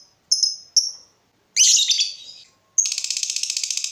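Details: Lovebird used as a lure to spur other lovebirds to sing: two sharp high chirps, a harsh squawky burst, then a rapid buzzing chatter of quickly repeated pulses.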